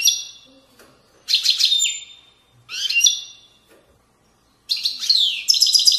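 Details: European goldfinch in Widaniya style from Morocco's valley banks: separate short phrases of buzzy twitters and rattles with gaps of about a second, ending in a longer bright trilling passage.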